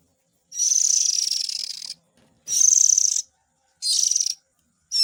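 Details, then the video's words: Young Oriental magpie-robin calling, a lure aimed at parent birds. A long, buzzy, hissing rasp of over a second is followed by shorter, slightly pulsed harsh bursts, clean and loud. "Suara Pikat indukan burung kacer ,suara anak nya 100 % Ampuh"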